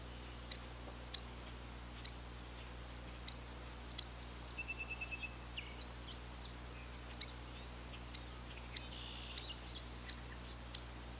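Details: Spotted sandpiper repeating crisp high peeps about every half second to second, interrupted midway by a fainter rapid chattering trill from another bird; low steady hum throughout.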